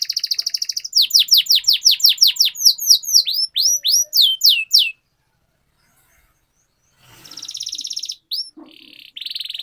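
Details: Canary singing-training song opening with a dense trill, then a series of falling and rising sweeps, silence of about two seconds, and closing buzzy trills.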